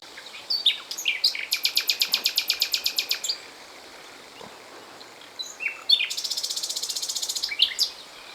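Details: Common nightingale, usually hidden in dense thickets, here briefly singing in the open in Poland. It gives loud phrases of rapid, evenly repeated notes, about fifteen per burst, then after a pause a buzzier trilled phrase, over faint hiss.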